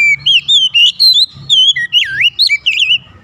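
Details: Oriental magpie-robin delivering a continuous string of loud, clear whistles that swoop up and down, about two notes per second, rich and varied, with a low background hum.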